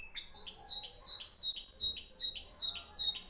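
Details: Moroccan Timbrado canary, 2021, discontinuous song: evenly repeated high whistles, each falling sharply, about three per second.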